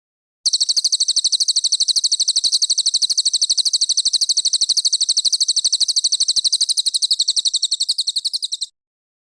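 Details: ['Cililin recorded as a training song for contest birds: an unbroken, dense run of high, piercing chirps repeated very fast and evenly for about eight seconds, slightly weakening toward the end.']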